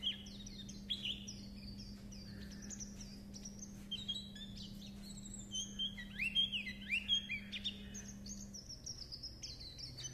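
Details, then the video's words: Japanese white-eye in chattering líu chuyện song: bright, high whistled notes and sharp rising and falling slurs, sparser at first, then a denser burst of twittering in the second half, with a low hum through most of it. "Âm thanh Khuyên líu chuyện"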